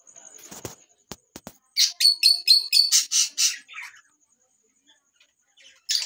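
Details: Lutino Fischer's lovebird calling: a rapid series of about eight sharp, high chirps repeated roughly four per second, preceded by a few clicks and knocks and followed by brief quieter twitters.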